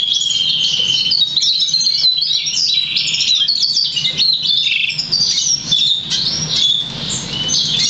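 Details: Black Siskin x Russian Canary hybrid, crested and 50% variegated, hatched August 2009 and taught European Goldfinch notes, delivering a continuous rapid stream of high twitters, buzzy trills and whistled slurs over faint low hum.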